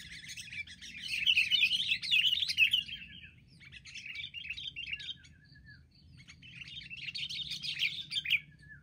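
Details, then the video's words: Sooty-headed bulbuls, wild, attacking together: a dense, scratchy chatter of many excited chirps swells loudly, fades into scattered notes, then builds again into another noisy burst of overlapping calls. "burung KUTILANG liar beraninya keroyokan"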